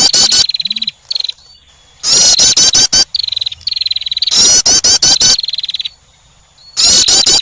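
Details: Female wren attracting with loud, grating note clusters and interleaved short, buzzing, high trills. The phrases repeat roughly every two to three seconds with quiet gaps.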